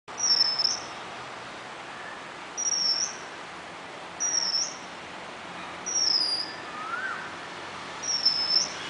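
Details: Oriental magpie-robin at a bird bath: short, high, thin whistled notes, each slightly rising then falling, repeated about every one and a half to two seconds over a soft steady background hiss.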